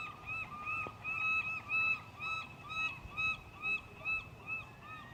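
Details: Seagulls in the sun at Keyport, Washington: a series of mewing, slightly nasal calls, each a short arched note, repeated about twice a second, over faint background hiss.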